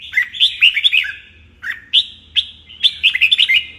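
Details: Red-whiskered bulbul, a kept bird being trained for morning song and stimulated toward fighting song: bright, warbled phrases of quick rich notes, an opening burst, a short pause, then two single notes and a final rapid run; faint low hum beneath.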